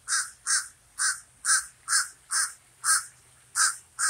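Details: Common raven calling continuously, nine rasping caws spaced roughly every half second with slight irregularity in timing.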